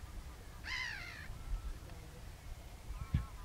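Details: Male Green-winged Teal with Common Teal at Burnham Norton, Norfolk, UK, 5 April 2017: one nasal, slightly falling call of about half a second, then a fainter call near the end, over steady low wind rumble.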